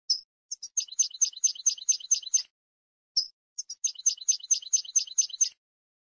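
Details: Goldfinch phrases given twice: a sharp introductory note, a few short chips, then a run of rapid, sparkling repeated notes, each phrase about two and a half seconds long with a brief pause between.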